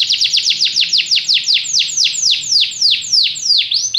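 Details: Canary song made of loud, repeated downward-swooping whistles, several per second, delivered in a steady rolling series with slight changes in speed.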